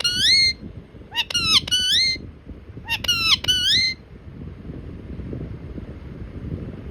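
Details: Pet parrot prompted to talk, said to prick up its ears at the camera. Three bursts of bright, tonal, whistle-like syllables with bending pitch, then quieter background chatter and room noise.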